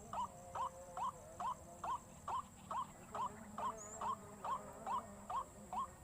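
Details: White-breasted waterhen lure call: a steady series of short, upward-sliding notes, about two per second, each with a sharp rising twist, over a constant high background hiss.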